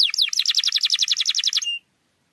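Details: Canary song used to get a quiet canary singing: a couple of sweeping notes followed by an even, rapid trill that stops abruptly.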